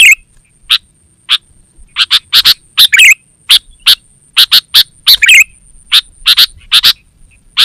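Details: Sooty-headed bulbul (kutilang), calling as a lure for wild forest birds and a master for home-kept birds: spaced sharp chips that speed into quick bursts, broken by bubbly rolling phrases, with a faint steady high tone behind.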